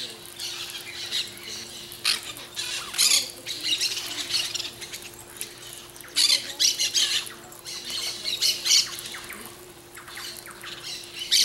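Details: Peach-fronted parakeet giving harsh, noisy screeching squawks in clustered bursts of a second or so, several overlapping, separated by quieter gaps, with a steady low hum underneath.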